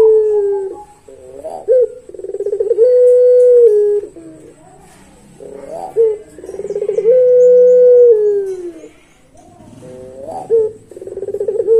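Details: Barbary dove of the pelung type singing a long song, with repeated phrases of wavering rolled notes leading into long level coos that sag slightly at the end, several phrases in sequence.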